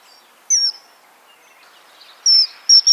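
Common Kingfisher giving a few shrill, very high, thin whistled notes, each short and sharp, over a faint hiss of background noise.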